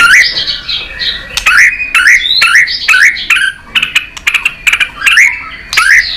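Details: White-rumped shama in competitive song: rich whistled phrases repeated about every half second, each swooping upward, mixed with crisp clicks and higher thin notes.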